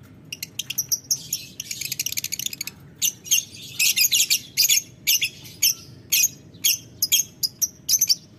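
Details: Ngetik ngekek calls from a lovebird answering a rival: quick ticking clicks speed into a dense shrill chatter, followed by clipped high bursts about twice per second.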